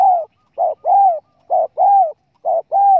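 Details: Spotted dove calls used as a hunting lure: paired coos, a brief note followed by a longer drawn-out one, repeated about once a second, mellow and low-pitched with a clean, quiet background.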